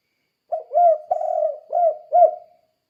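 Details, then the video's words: Spotted dove calling lively in the 'kuk-kuk' style, used to train other doves to call: five mellow, low cooing notes over about two seconds, each slightly arched, the middle one long and drawn out, in silence. "Suara Burung Tekukur Kuk 2 Gacor Untuk Melatih Tekukur Lain Biar Ikut Gacor"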